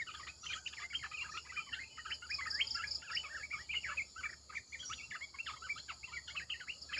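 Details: Red-eyed bulbul decoy song for luring wild birds: a long, lively stream of rapid warbling and chattering notes, strong and continuous, with faint insect buzzing in the background.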